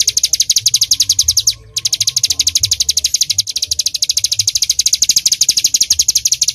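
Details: Bar-winged prinia in lively 'tembakan' shooting song: a fast, unbroken volley of sharp high chips, about twelve per second, with a brief pause near the middle before the rapid bursts resume.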